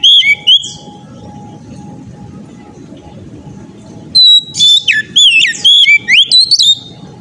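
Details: Persistent ngeplong singing from an oriental magpie-robin: a short whistled opening, about three and a half seconds of quiet rumble and hum, then a vigorous run of loud, looping whistles rising and falling rapidly.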